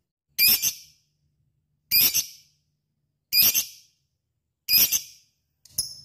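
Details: Lovebird giving four short, harsh, high-pitched chirping bursts, each with a rough buzzy quality, spaced roughly every one and a half seconds in an otherwise quiet setting.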